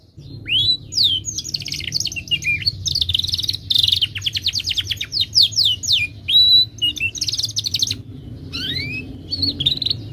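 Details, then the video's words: Timbrado canary delivering beautiful melodic song: upslurred whistles, long runs of rapid descending trill notes, a held pure tone and buzzy phrases, separated by short pauses, low hum in background. "Timbrado canary singing beautiful melodic songs for training and listening"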